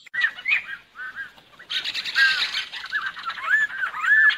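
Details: Lesser necklaced laughingthrush singing, a recording used to lure birds for trapping: short whistled phrases with rising and falling slurs, broken by a pause, then a fuller burst of overlapping whistles and harsher notes.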